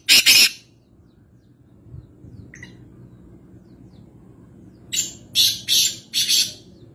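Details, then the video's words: Black francolin at Nawabshah, Pakistan: one harsh note opens, a long quiet gap with faint background noise follows, then a rapid series of four grating, high, chirping rasps near the end. "Kala Teeter | High Pitched Chirping Sound Voice | Francolin | Black Partridge"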